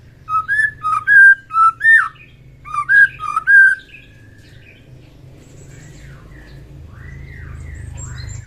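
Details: Morning song of a white-rumped shama, used to stir its fighting spirit: a burst of clear, fluting whistles and rapid slurred notes over about four seconds, then quieter, distant whistles fading out.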